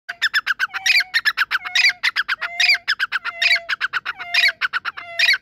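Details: Grey francolin, naturally calling, gives loud repeated phrases: rapid clusters of harsh, clipped notes alternating with a longer, lower, level whistle, the pattern recurring about every second in a clear, quiet setting.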